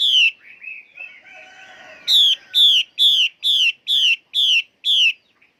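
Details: Female Chinese hwamei singing: a brief loud whistle, then softer warbled notes, then a run of seven loud, clear, downslurred whistled notes repeated about twice per second, with no other sounds.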